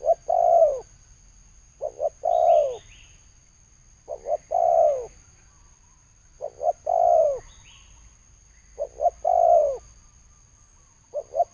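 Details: Spotted dove repeating its thổ sấm coo, 2020: about five phrases, roughly every two and a half seconds, each a pair of short low notes then a long falling coo; faint high whine behind.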